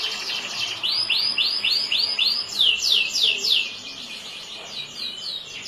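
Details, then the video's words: Song of a yellow canary, a run of rising whistled sweeps repeated quickly, then faster falling buzzy notes and softer trailing twitters, recorded close and clear. "burung kenari yellow"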